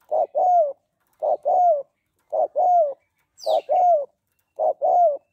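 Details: A female spotted dove, calling to stimulate males, gives soft, low two-note coos, a short note then a longer falling one, repeated about once a second; a brief high chirp slips in once.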